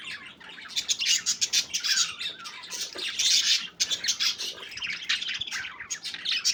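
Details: Playing budgerigars giving harsh, raspy squawks mixed with fast twittering, loud bursts crowding one another in a steady high-pitched stream, briefly dipping near the midpoint.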